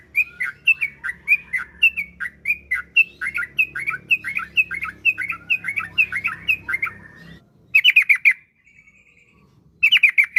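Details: Caged yellow-vented bulbul singing as a lure for other kept bulbuls: a long, steady series of quick looping whistled notes for about seven seconds, then brief sharp chattering bursts after a pause.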